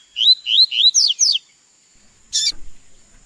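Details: Captive double-collared seedeater in training to learn its song: a quick phrase of five slurred whistles, the first ones rising and the later ones dropping, delivered in about 1.3 seconds, followed by a sharp click-like knock and quiet.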